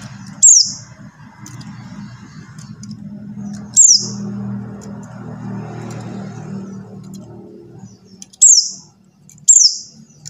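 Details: Buxtoni white-eye call for prompting quiet white-eyes into song: four sharp, high, falling whistles spread irregularly across the stretch, with a low humming drone and faint murmuring between them.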